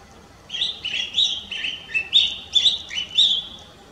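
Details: Collared finchbill recorded in Lugu, Taiwan, in December 2022: a run of about seven short, bright chirping notes, slightly slurred and quickly repeated over three seconds, against a quiet background.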